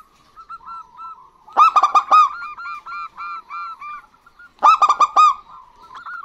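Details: A pair of local zebra doves, male and female, answering each other. Two strong bursts of rapid, clipped coos are separated by a steady run of soft, rounded, repeated notes, with faint coos leading in.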